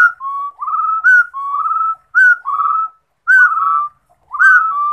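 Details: Rufous-throated partridge singing: clear whistled phrases near one pitch, each a short rising note sliding into a longer, slightly quavering level tone, repeated roughly once a second with brief silences; no other sounds.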